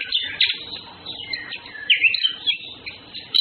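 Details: Orange-headed thrush, males and females flirting: dense, scratchy chirps and short whistled notes, with a brighter squeaky burst near two seconds and a soft low background hiss.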